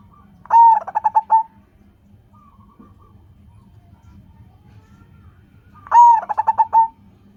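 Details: Zebra dove of local stock calling to entice other doves to sing: two identical phrases about five seconds apart, each a long coo trailing into a rapid series of short pulsed notes, with quiet background between.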